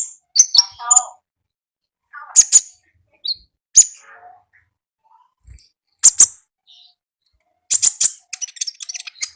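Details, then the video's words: Konin heard in the wild, singing in scattered bursts of high, sharp chirps and short buzzy trills, separated by gaps of a second or more, ending in a quicker run of thin notes; nothing else heard. "AUDIO KONIN GACOR NGALAS Suara Asli Alam Liar"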